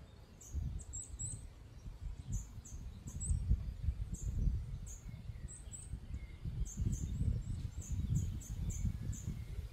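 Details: Hungry Eurasian nuthatch nestlings give thin, very high chirps in quick irregular bursts over a steady low rumble of wind or traffic, Žale cemetery, Ljubljana, Slovenia, 12 May 2024.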